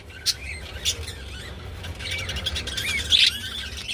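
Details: Budgerigars mating: short sharp chirps near the start, then a run of busy, warbling chatter with squeaky notes over a steady low hum.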